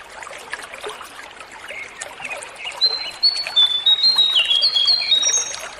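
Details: Sunda laughingthrush, known locally as jongkangan or cingcoang, in a natural-sound recording played to coax captive birds to sing and tame them; clear high whistled notes in a rising, stepped sequence over a background of soft chirps and trickling water.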